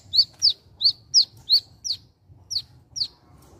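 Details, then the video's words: A wiceh in natural surroundings gives a quick series of sharp, high, down-slurred chirps, about two or three each second, over a low background rumble. "SUARA ALAM BURUNG WICEH"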